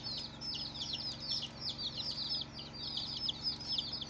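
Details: Chicken chicks on their first day after hatching, a rapid stream of thin, high, downward-slurred peeps overlapping from several birds, with a low steady hum underneath.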